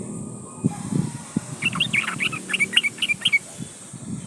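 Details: Yellow-vented bulbul, locally called trucukan, calling to a rival: a rapid series of short bubbly chirping notes in the upper range from 1.5 to 3.5 seconds, over low rumbling background noise.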